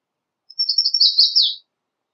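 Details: One brief American redstart song, a thin series of rapid high notes running together and closing with a clear downward-slurred ending.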